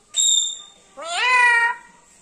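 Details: Black-capped lory with a sweet voice, talking this way for the first time: a short clear high whistle followed by one long, rich, slightly rising word-like utterance.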